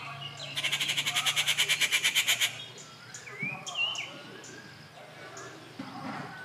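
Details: Harsh pulsed rattle from a rufous treepie, recorded 19 June 2021 at Kattupadi: about fifteen rapid raspy beats over two seconds, followed by soft rising whistles of other birds and a low hum.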